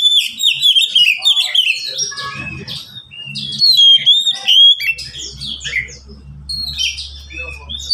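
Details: Caged Oriental magpie-robin, among three pet birds singing back and forth, delivering dense, fast runs of whistled and chattering notes with little pause, over a low steady hum and faint knocking.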